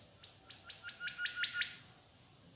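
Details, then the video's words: Softer mangrove whistler phrase: a quick, even series of about seven short notes running into one long, thin rising whistle, over a faint low background hum. "mangrove whistler bird chirping sweetly"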